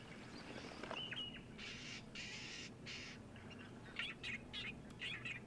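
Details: Egyptian geese with goslings at a waterhole on 13 January 2023, apparently irritated by springbok venturing too close, give harsh, hissing honks in three quick rasping bursts, then scattered squawky notes, over a steady outdoor hum.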